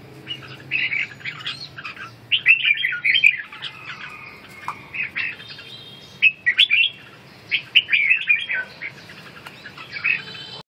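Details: Ché calling by a red-whiskered bulbul while it wing-dances: irregular bursts of grating, chattering notes, some with thin whistled tones, separated by short quieter spells.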